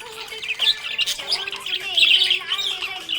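Budgerigar chattering steadily in fast, scratchy high warbles and chirps, with a faint low steady tone underneath.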